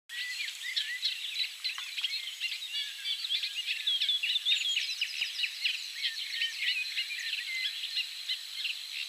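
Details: Eurasian reed warbler singing low in reeds, with a Savi's warbler reeling in the background: a steady, dense run of scratchy, chattering notes with occasional higher whistled phrases mixed in.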